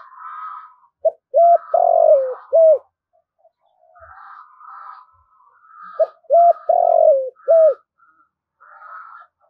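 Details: Spotted dove calling to draw wild doves in to fight. Two similar phrases, each a short note, arched coos and a long drawn-out falling coo. Other birds' nasal, buzzy calls sound between the phrases.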